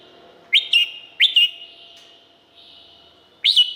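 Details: Thai red-whiskered bulbul singing three short, loud phrases, each a pair of bright, rising, slurred whistles, separated by gaps of about a second or more.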